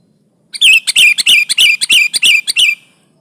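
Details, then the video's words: Lively sooty-headed bulbul song meant to press a rival and lure birds for trapping: a rapid run of about ten sharp chirping notes, each with a short descending whistle, steady and loud against silence. "Suara burung kutilang gacor menekan lawan, pancingan pikat kutilang ribut & kutilang diam"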